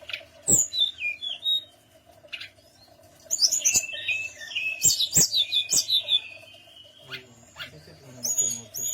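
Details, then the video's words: Tledekan gunung singing as a lure to make other birds answer: scattered sharp chirps, then a long lively run of high warbled and sliding whistles, ending with more chirps, steady low hum beneath. "pancingan Burung Tledekan Gunung"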